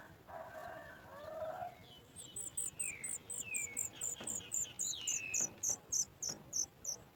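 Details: Sooty chat nestlings beg as parents bring food to feed them: very high thin chirps about three times a second with a few slurred falling notes; a lower rough call opens the recording.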